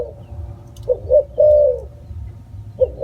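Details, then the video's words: Spotted dove cooing: a pair of brief low notes followed by one drawn-out, gently falling coo, with a quiet low rumble behind. "សម្លេងសត្វរលក . Bird sound spotted dove"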